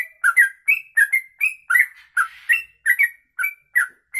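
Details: Long 'ropelan' song of a sooty-headed bulbul, suitable as a master for tutoring other birds: brisk chain of bright whistled and chattering notes, about one every third of a second, varied in pitch and unbroken.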